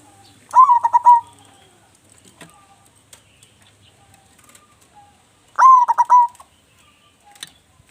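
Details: Two cooing phrases from a vigorously singing local zebra dove kept as a lure bird, each a rising note, rapid stuttered pulses and a sustained finish, about five seconds apart, with light ticking and clicking noises behind.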